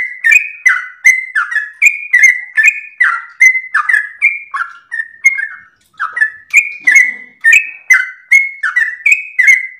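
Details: Sooty-headed bulbul song for use as a master and lure recording, a busy run of whistled, falling notes with clicking onsets, briefly pausing midway before the chattering flow resumes.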